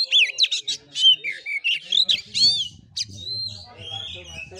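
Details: Oriental magpie-robin song in fighting Kura-kura style, with looping whistles and rapid chips in loud bursts, then quieter drawn whistles over a low hum.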